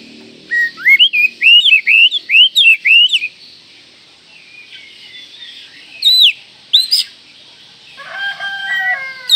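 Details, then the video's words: Provoking call of an Oriental magpie-robin, said to rouse other magpie-robins within seconds: a fast run of about ten upward-flicked whistles, a pause, two louder downswept whistles, then a rooster crowing. "panggilan Kacer ini mampu mendobrak emosi semua Kacer dalam hitungan detik"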